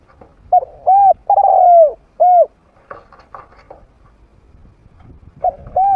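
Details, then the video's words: Trained spotted dove, medium voice, played to attract wild doves into fighting. Coos in a row: short, short, a long falling coo, then a short one. Faint rustling follows before another coo starts. "เสียงนกฝึก นกเขาใหญ่เสียงกลาง เปิดต่อนกป่ากล้าเข้าสู้ไม่ตื่น"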